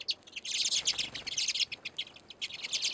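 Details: Redpolls, small finches, crowd a filled seed feeder on a deck in Anchorage, Alaska, in deep winter, pouring out quick high twittering chirps in bursts, short rattles between brief gaps.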